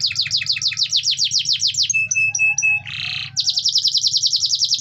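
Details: Canary song meant to stimulate other canaries to sing: fast rolling trills of repeated downslurred notes, a few clipped whistles, a short buzzy burst, then another rapid trill, over a steady low hum.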